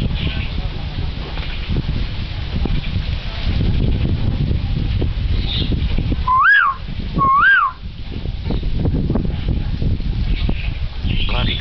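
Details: Common hill myna that mimics the voices of a man, a woman and a boy gives two loud whistled notes, each rising then falling, about a second apart, over noisy background.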